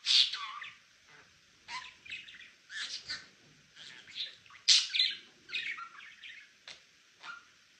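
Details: A male budgerigar kept as a pet chirps loudly, opening with a bright squeal, then repeated raspy chattering phrases and another sharp squeak, separated by brief silences.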